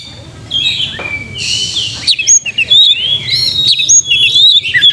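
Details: Oriental magpie-robin song played as a lure to push young untrained birds into fast singing, fighting mood and tail-spreading: after a rushing noise, a quick run of high whistled, chirping phrases in varied short bursts.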